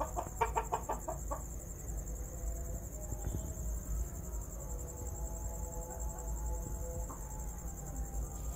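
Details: Red golden pheasant gives a quick run of about six harsh, clucking notes in the first second and a half, over a steady high hiss and low rumble.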